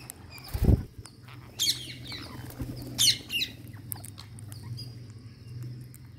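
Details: Green parakeet at feeding time giving two loud, harsh, grating screeches about a second and a half apart, followed by softer chattering notes, over a steady low hum with a dull thump near the start.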